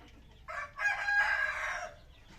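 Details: Loud, clear crow of a red junglefowl: a brief opening note, a short gap, then a sustained hoarse, rich phrase held for about a second before cutting off, with quiet surroundings.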